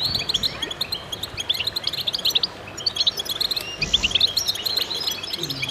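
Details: A goldfinch chorus, with dense, tinkling high chirps and trills tumbling over one another, briefly thinning before building again; faint low rumble beneath.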